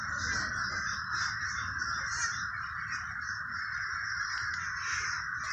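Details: Crows in the Villa Park neighborhood of Trenton, New Jersey, heard as a dense, steady wall of overlapping harsh caws with no clear gaps and a faint low rumble underneath.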